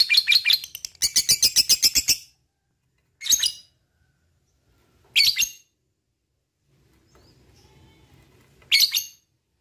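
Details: Lovebird singing to prompt other lovebirds: a short burst of rapid high chattering trill, followed by three isolated sharp chirps spaced about two seconds apart.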